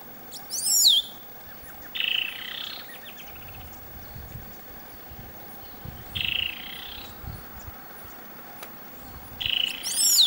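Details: Black-cowled saltator at Palambla, Piura, Peru. A phrase of very high, sharply descending slurred whistles, followed by a buzzy, harsh, slightly falling note, is repeated about every four seconds over a quiet rural background.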